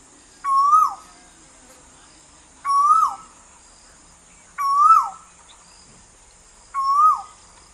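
An Asian koel calls with loud, swooping whistles that rise then drop, about every two seconds; a steady high insect drone runs underneath.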